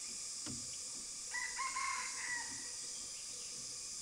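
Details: Red junglefowl filmed from a hide in Huai Kha Khaeng Wildlife Sanctuary, Thailand, giving one faint, clipped crow of about a second, rooster-like but shorter, over a steady high hiss of insects.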